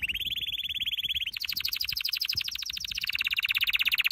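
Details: Canary training song: a long fast trill near the middle of the range, then a rapid higher rolling series, and a fast steady trill dropping slightly toward the end, all dense and rhythmic.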